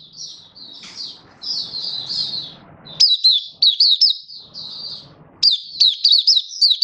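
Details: Malaysian white-eye singing in Singapore under stable, warm, sunny weather, 20 March 2023: soft high warbling over low background rumble, then loud bursts of sharp, quickly repeated up-down twitters.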